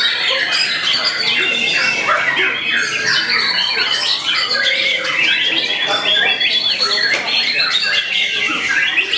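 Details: White-rumped shama, a young bird of eight to nine months, in a competition arena delivering a crowded, nonstop medley of quick chirps, harsh squawks and short falling whistles over constant background noise.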